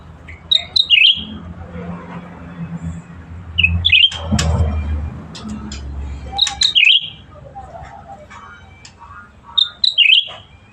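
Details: Black-headed Bulbul singing energetically, repeating short whistled phrases with a quick dipping flourish about every three seconds, plus a brief rustling noise and a low hum.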